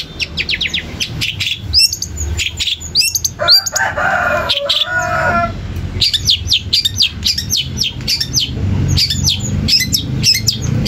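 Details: Long-tailed shrike song for goading other shrikes into calling back: rapid series of sharp rising notes and hooked whistles, a rough buzzy phrase in the middle, and steady chattering through to the end.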